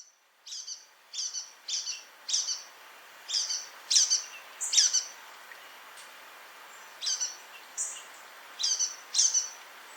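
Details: In an eastern US pine forest, a Brown-headed Nuthatch gives a series of high, squeaky two-part notes like a dog's rubber squeaky toy, about one every half second to second, with pauses between bursts.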